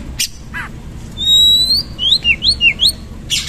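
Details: Oriental magpie-robin in rough-style song with rich fill. A long, clear, level whistle is followed by a fast run of five or six swooping, slurred notes, with short harsh bursts at the start and end.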